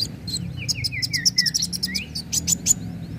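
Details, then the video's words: A sunbird (kolibri wulung/muncang) sings a lively lure song of the fighting type, fast and high: short downslurred whistles mixed with sharp, ticking high notes in a burst, over a low steady hum. "Pancingan kowul gacor narung"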